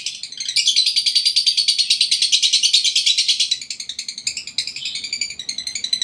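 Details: Lovebird in breeding condition singing indoors: a continuous rapid rattling chatter of harsh, high notes, about three per second, loud for several seconds, then more broken, scratchy phrases.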